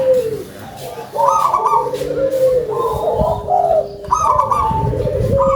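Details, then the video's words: Loud-voiced local zebra dove calls eagerly, each phrase opening with a drawn-out coo and breaking into quick, stuttering notes; several phrases follow over continuous lower cooing and faint background noise. "PERKUTUT LOKAL SUARA BESAR"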